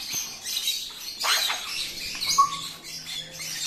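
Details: Grey parrot fighting with an Alexandrine parakeet: harsh, broadband screeching squawks in bursts, with a brief clear whistled note midway.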